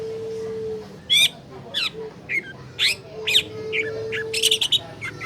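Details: Caged long-tailed shrike song used as a lure to stir a reluctant bird into singing: scattered harsh, scratchy bursts and short sharp chips, irregularly spaced, with a steady low electrical hum underneath.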